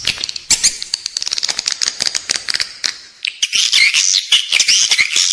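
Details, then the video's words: Edible-nest swiftlet lure calls for use inside a swiftlet building: a rapid patter of dry clicks, then dense, buzzy, high chirping twitters in the second half. "เสียงเรียกนกแอ่นกินรัง ((ด้านในตัวตึก))"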